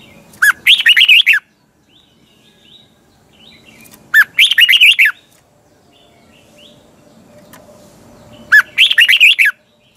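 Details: Red-whiskered bulbul kept in a cage sings a morning training song, three lively phrases of quick, looping warbled notes, each about a second long, spaced several seconds apart with quiet between.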